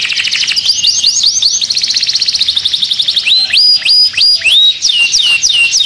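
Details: Canary, stirred up in a cage, singing fast trills that give way to a series of sharp upward-flicked whistled notes, each repeated about twice per second.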